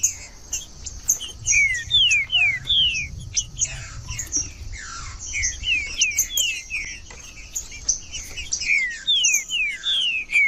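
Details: Green-winged saltator song used to warm up a quiet bird: clear, slurred whistles sliding downward, repeated in quick phrases, over a busy background of high, thin chirps from other birds.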